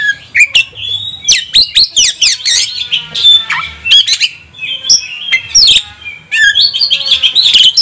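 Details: Agitated Oriental magpie-robin, stirred up to sing, pours out a loud rich medley: sharp sweeping notes in fast clusters, long wavering whistles and harsh accents with short pauses between bursts. A faint low hum sits in the background.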